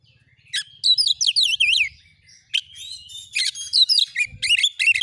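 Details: Oriental magpie-robin (kacer) training song, an agitated bird shooting its mimicked material: bursts of rapid swooping whistles and scratchy chatters, pausing, then resuming in clear repeated phrases.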